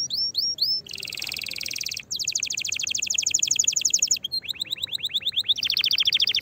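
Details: Canary in full, excited song meant to stir other canaries to sing and prepare for mating: a few rising whistles, then a long buzzy rattle and fast trills of repeated notes, ending in a rapid descending series.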